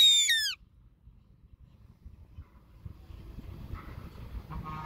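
A goshawk gives one loud, harsh, downslurred scream lasting about half a second, then only faint background rustle and distant murmur follow.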